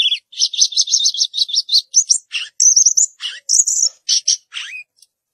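A Chinese Hwamei sings loud, high whistled phrases: a fast run of about a dozen repeated notes, then varied slurred and rising whistles, with no other sounds.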